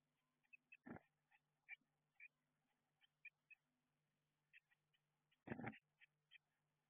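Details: Eurasian blue tit chicks inside a garden nestbox, getting ready to fledge after being raised there. Thin, high cheeps come in short irregular bursts, with two louder rustling bumps of movement and a low steady hum underneath.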